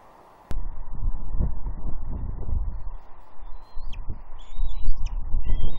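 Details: Juvenile female bald eagle at Two Harbors on Catalina, 30 June 2021, perched on a tree near her father, mantling and squeeing to beg for fish; a few thin, high whistled squeals rise over a heavy rumble of wind.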